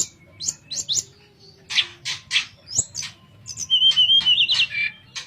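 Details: Sooty-headed bulbul in nyuling, flute-like song for tutoring other birds: scattered short chirps and harsh bursts, then a wavering high whistled phrase near the end.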